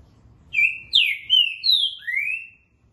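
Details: Green-winged saltator (trinca-ferro verdadeiro) singing in the styles called dobra and boca mole: five loud, clear whistled phrases, sliding and slurred between middle and high pitch, delivered in a rapid run over about two seconds, then quiet.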